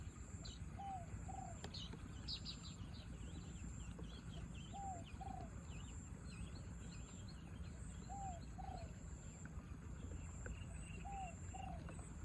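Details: Spotted dove in a contest with a wild bird amid falling rain; four paired coo phrases spaced about three to four seconds apart, faint under heavy rain, with scattered high chirps from other birds.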